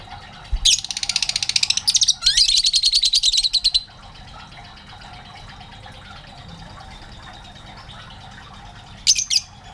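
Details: Lovebirds in a colony that grew from one pair to about twelve birds: loud harsh buzzy rapid chattering bursts for several seconds, then quiet background hum, and a brief shrill burst near the end.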